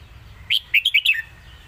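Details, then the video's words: Single lak wai phrase from a red-whiskered bulbul: five rapid, cheerful whistled notes, the last sliding downward, over a faint low hum. "นกเสียงทอง!!เพลงลากหวาย สุดยอดเพลงแม่บท#นกกรงหัวจุก"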